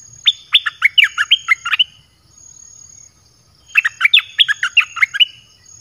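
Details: Thai caged red-whiskered bulbul song used to call wild birds, two matching phrases about two seconds apart, each a tumbling run of roughly eight bright, down-slurred whistles, with near silence between.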